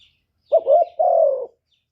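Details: A single lure-call phrase from a spotted dove: a brief wobbling double coo running into a sustained, gently descending note.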